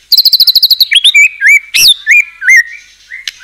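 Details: White-rumped shama, a singing bird used as a lure to provoke other shamas into singing: a fast run of repeated sharp notes, then loud whistled slurs and rising and falling phrases with pauses between them.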